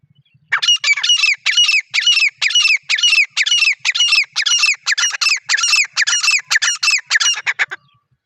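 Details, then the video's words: Wild partridge (teetar) calling in natural jungle surroundings, unedited: a loud, fast run of harsh, squeaky double-noted calls, about two per second, continuing steadily for some seven seconds against a quiet background. "Teetar Ki Asli Awaz | Natural Partridge Sound"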